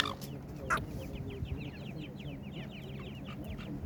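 A crowd of partridge chicks peeping together: thin, high, slurred chirps tumbling over one another several times a second over a low background rumble.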